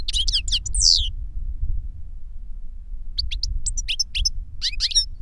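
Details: An older goldfinch sings to a young goldfinch: a chattering burst with a loud descending slur, a quiet gap, then scattered crisp chirps and twitters, with steady low rumbling background.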